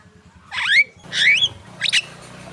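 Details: Javan myna (jalak kebo) song used to prompt contest birds: three loud bursts of rising whistled and grating notes half a second apart, faint low background noise.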